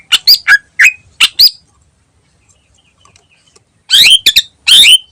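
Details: Ngentrok song of a greater green leafbird used as a lure: six sharp, squawky notes with upward flicks, a quiet gap of about two seconds, then two dense bursts of harsh, high chatter.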